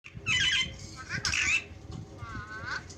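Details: Parrot calling: two loud, harsh, raspy squawks about a second apart, followed by softer drawn-out tonal notes with a wavering, slightly nasal quality, over a low background rumble.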